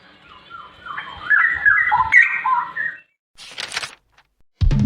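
A Straw-headed Bulbul pours out a loud, liquid, bubbling warble of rich whistled notes for about two seconds, followed by a brief noisy burst and the start of a voice.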